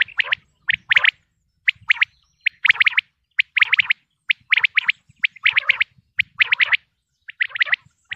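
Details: Common quail, Pakistan, delivers a steady stream of sharp high notes in pairs and triplets, roughly one group each second, crisp and clipped, with short silences between and no other sounds.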